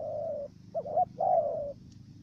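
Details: Brief stretch of a Cà Mau decoy dove's stuttering coo: a long steady note, a quick broken note, then another sustained coo, over a low background hum.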